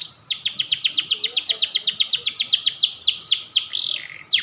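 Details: White canary of the panda variety giving a long, steady series of about twenty sharp down-slurred chirps, roughly five a second, ending in a brief buzzy rattle and one final chirp.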